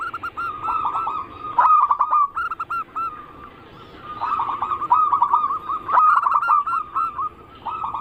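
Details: Zebra dove cooing song used as a lure: dense, bubbling runs of rapid rolling notes alternating with held, even tones, the phrases returning again and again without a long break.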